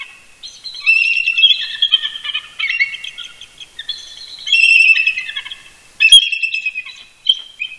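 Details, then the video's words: Two eagles, a pair roosting near their nest at Big Bear Lake, California, chortle together on an early Sunday morning in November 2018; overlapping shrill, squeaky chitters in back-and-forth phrases, nearly continuous. "Eagle Cam ~ Shadow & Mrs BB Duet Vocals Early Morning"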